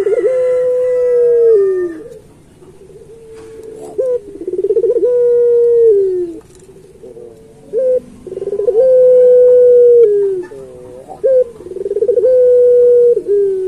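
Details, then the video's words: Song of a puter pelung turtle dove, kept as master audio for teaching other pelung doves: long, steady, loud hooting coos that sag at the end, separated by quiet gaps and short rising notes. "Suara Burung Puter Pelung Masteran"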